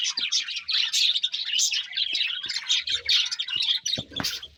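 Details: Budgerigars chirp and warble in busy, scratchy chatter with squeaky notes, ending in a louder harsh squawk-like burst and a few low knocks.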